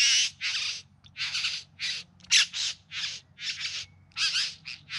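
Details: Courting bowerbirds filmed in September 2020 in the Yarra Valley close to Melbourne, giving loud, harsh, crackling churrs in quick succession, about a dozen bursts in five seconds, some with whistled overtones.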